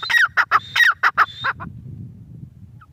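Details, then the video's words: Grey francolin (teetar) uttering a short burst of harsh, clucking, ringing notes with a thin high whistle, fading out after about 1.5 seconds into quiet background. "Teetar awaz || teetar sound || teetar ki awaaz || gray francolin teetar voice"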